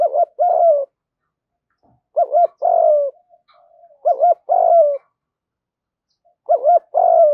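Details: Male and female spotted doves cooing to excite birds kept for training. Four repeated phrases, each a paired hooked coo then a drawn-out husky note sliding slightly downward, about two seconds apart, in a quiet background.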